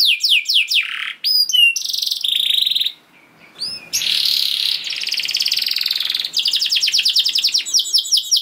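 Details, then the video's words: Canary in long 'gacor' song, used as a lure for other canaries. Fast descending notes, short whistles, a brief silence, then an extended buzzy rattle with faint hiss behind, closing in rapid clipped trills. "Seketika Kenari Kondisi Apapun Akan Langsung Respon Bunyi Gacor Panjang Tanpa Nunggu Lama"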